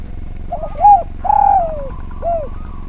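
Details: Spotted dove singing for a bird-training recording: soft quick lead-in notes, a clear coo, a long falling coo, then a short final coo. Low background hum throughout.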